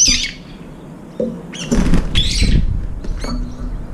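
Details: Brown-eared bulbuls, two or three at a time, come to a window-side feeding bowl to eat, giving a few sharp, shrill squeaky notes at irregular intervals over a low rumbling background.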